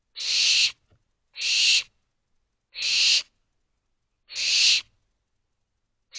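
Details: Five hoarse, breathy screeches from barn owl owlets in an owl box, calling for more food at night; bursts about half a second long at roughly one-and-a-half-second intervals.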